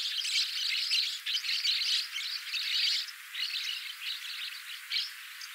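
Black-cheeked lovebirds chatter in shrill, high, scratchy bursts, about one a second, running together into near-continuous squeaking.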